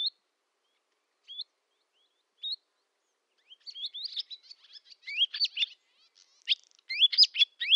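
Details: Barn swallow singing in summer at a village in Novgorod oblast, Russia, recorded 8 August 2013: a few isolated rising chirps, then a quickening run of sharp twittering notes and whistled upslurs, clean background.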